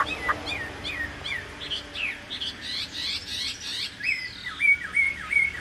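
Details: Chinese hwamei singing in a cage without a female: varied, rapid slurred whistles and trills rising and falling, ending in a run of clear repeated whistled phrases.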